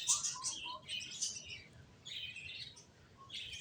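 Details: Finches make high, bright chirps in clustered bursts, with short lower whistled notes between them over a quiet background.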